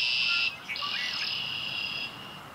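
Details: Red-winged blackbird at Humboldt Park: a loud buzzy trill at the start, short downward slurred notes, then a longer, fainter raspy trill that fades out.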